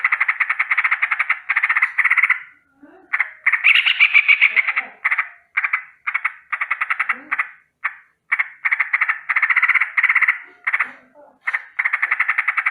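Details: A Yellow-vented bulbul in the morning gives fast, buzzy rolling trills in bursts of one to two seconds with brief pauses, steady and mid-high, almost frog-like, described as a rolling danger alarm; nothing else is heard.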